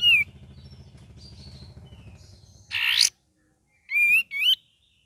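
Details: ['Cream-vented bulbul, gacor and ngeriwik song variations: a brief whistle, a loud scratchy rasp, then two quick clear whistled phrases with a wavering, rising-falling pitch; steady low hum early on.']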